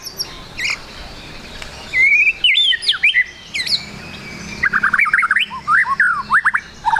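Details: White-rumped shama song used as a lure to make the bird sing quickly: varied whistled phrases and rapid rising-falling notes, with brief gaps and a series of quick sweeping notes near the end.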